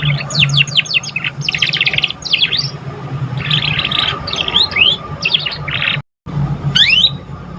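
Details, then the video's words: Young canary just learning to sing, used as a lure to stimulate other birds: rapid descending whistled sweeps and buzzy trilled bursts in quick succession, with a brief dropout near the end and a steady low hum beneath. "Pancingan kenari paud baru belajar bunyi cocok buat rangsangan"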